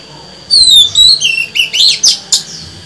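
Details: Female white-rumped shama song used to stimulate males: a long wavering whistle opening, followed by several sharp rising and falling phrases and two harsh scratchy bursts.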